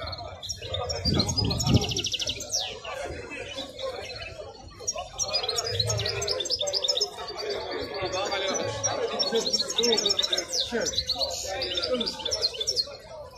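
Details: Wild-caught European goldfinch at the Al-Qurai'a bird market, giving rapid twittering, tinkling phrases high in pitch, interrupted by buzzy trills, amid constant market chatter, other chirping birds and low crowd noise.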